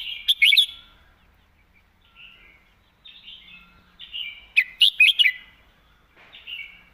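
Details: Clearly phrased red-whiskered bulbul song in the 'master song' pattern: two bright bursts of rapid, rolling whistles near the start and around 4.5–5.3 seconds, linked by gentle warbled notes, clean background.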